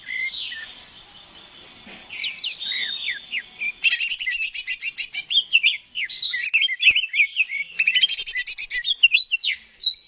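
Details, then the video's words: Greater green leafbird in gacor, continuous song, meant to stimulate other birds to sing. Varied whistles and warbled slurs build into bursts of rapid sharp chirps, with short gaps between phrases. "PANCINGAN CUCAK IJO GACOR, AMPUH BURUNG MAKIN SEMANGAT UNTUK BUNYI DAN GACOR"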